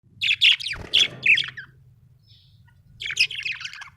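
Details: Happy budgerigar chirping: bursts of bright, buzzy warbled notes in quick runs, a pause of over a second, then another chattering burst.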